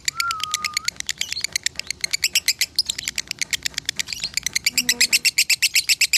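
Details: Lovebird from Salatiga, Indonesia, singing konslet-style tutor song that scored 8400 points: a dense, nonstop stream of shrill, rapid chirps fills the whole stretch, opening with a short low whistle and a faint low hum near the end.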